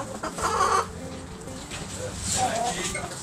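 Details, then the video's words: Backyard chickens, roosters and hens, pecking and scratching; brief soft clucks and a short harmonic cackle over steady low hum and background noise. "Cute Back Yard Chickens Pecking Scratching Making Noise Roosters Hens!"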